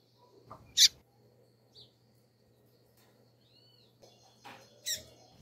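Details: A female double-collared seedeater gives scattered calls. Two loud, high, harsh chips fall about four seconds apart, with softer short notes and a faint thin whistle between them. A low steady hum runs underneath.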